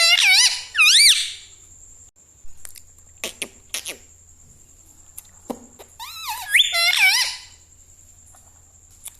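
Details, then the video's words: Pet parrot taught to say words like mummy and mithu; two bursts of loud, wavering, nasal screechy syllables at the start and again near the end, with quiet clicks and faint room sounds between. "Mummy bolo mothu || mummy ka pyara tota || bolo mithu mithu"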